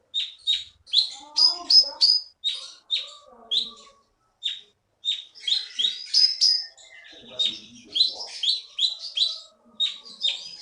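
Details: Orange-headed Thrush (konin), a caged contest champion originally taken from forest on Bangka, Bangka Belitung, Indonesia, singing at full vigour: rapid bright chirps and rich warbled phrases in close bursts, a few brief pauses, with faint lower murmurs beneath.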